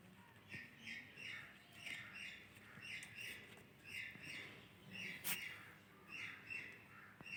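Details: Rose-ringed parakeet (Psittacula krameri), talking.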